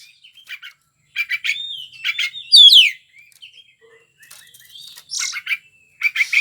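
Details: White-rumped shama, a singer prized by Indonesian songbird keepers, giving scattered sharp chips, a loud rising whistled sweep, and bursts of scratchy notes between pauses.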